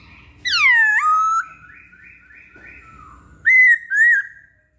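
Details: Poksay Hongkong, the masked laughingthrush, in a pancingan lure recording: a strong descending whistle that flattens into a steady tone, a soft wavering trill, then two short bright arched whistles.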